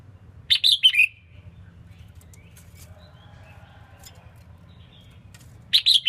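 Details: Female red-whiskered bulbul song used to excite males: a quick cluster of bright, high chirps, then a long near-silent gap before another chirped phrase begins, low hum throughout.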